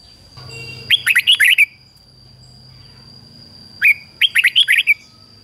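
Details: Lure red-whiskered bulbul singing to attract wild birds: two energetic phrases of bubbly, up-and-down whistled notes about three seconds apart, over a faint low hum and a steady high whine.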